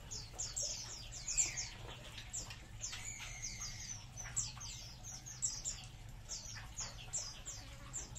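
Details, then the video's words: Many munias in a colony chattering together: rapid thin chirps sliding downward, densely layered and irregular, plus a few lower tonal notes mixed in over a faint background hum. "COLONI BURUNG EMPRIT"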